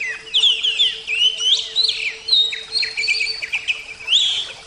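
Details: Kacer, oriental magpie-robin, in full song: a steady stream of loud, slurred whistles, quick trills and scratchy notes with barely a break, a faint low hum in the background.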